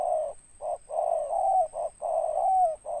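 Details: Spotted dove with a big, deep ngeruk voice and tindan ending, cooing in low rounded notes, short and longer ones alternating, the longer coos closing with a slight downward slide; a thin constant high electronic tone runs behind.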